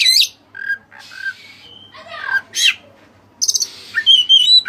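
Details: Oriental magpie-robin, called kacer dada putih, in loud tutor song filled with cililin phrases: a high burst, short whistled notes, a raspy phrase, then quick buzzy pulses and a rippling high warble.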